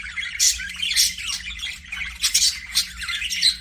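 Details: Budgerigar chatter: harsh, scratchy high chirps and squawks in dense bursts, with about five louder peaks in under four seconds and short quieter gaps between them, over a faint steady low hum.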